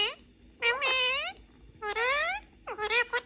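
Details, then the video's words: Pet male ring-necked parakeet playing and talking with a mobile phone in Persian and English: four clear voiced, speech-like harmonic phrases, some sliding up or down in pitch, separated by short pauses. "Ringneck parrot Having Fun And Talking With Mobile In Persian and English"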